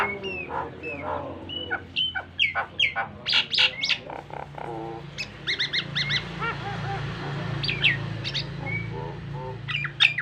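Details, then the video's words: Nias hill myna, a male, singing a varied practice song used to train pet mynas: loud whistles, harsh chattering bursts and clicking notes in quick succession, with a steady low hum beneath. "BURUNG JALAK NIAS GACOR FULL ISIAN"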